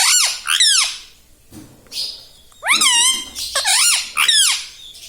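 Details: Pet rose-ringed parakeet saying "mummy" in a scratchy, nasal voice, with sharply rising then falling syllables that come in quick pairs and groups across a few seconds.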